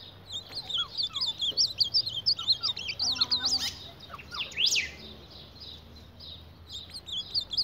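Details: Ultramarine grosbeak fighting its reflection, with busy high chirping, brief clattering taps, a loud rising rasp, then renewed twitter.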